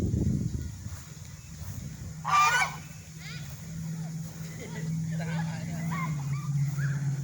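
A swan gives one loud, nasal, honking blast, then softer broken honks follow. A steady low hum runs underneath throughout.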